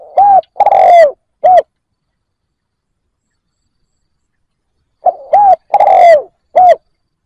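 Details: Spotted dove decoy bird calling to lure wild doves: two phrases of four coos each, a short note, an arched coo, a long drawn-out falling coo and a final arched coo, separated by a pause of about four seconds; background silent.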